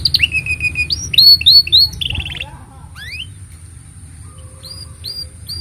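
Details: Canary singing as a master song for young canaries: rolled trills and three loud swooping notes, then softer scattered rising whistles and sweeps fading toward the end, over a low hum.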